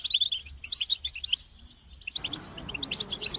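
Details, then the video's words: A chorus of European goldfinches gives rapid high twittering phrases, breaking off briefly midway, then resuming with bright chirps over a soft background hiss. "بتبتة جماعية تساعد الحسون على التغريد والخروج من مرحلة غيار الريش"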